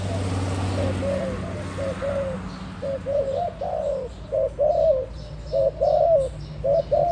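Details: Spotted dove, recently acquired, starts after a low humming background fades, then gives repeated short, mellow rolling coos, roughly one every half second, growing slightly louder toward the end.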